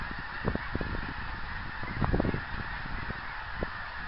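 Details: Distant geese flying on 24 January 2010, faint honks scattered through the recording with a brief cluster at two seconds, under a low rumble and hiss.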